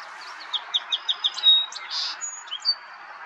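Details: Song sparrow singing in Ontario, Canada, in May: a series of crisp repeated introductory notes, a bright whistle, a buzzy middle section and closing chips, over a steady background hiss.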